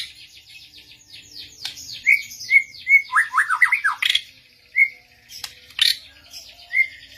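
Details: White-rumped shama answering a master recording alongside another bird: a dense series of high buzzy sweeps, then short whistled notes and a fast falling warbled run, with sharp clicks scattered through.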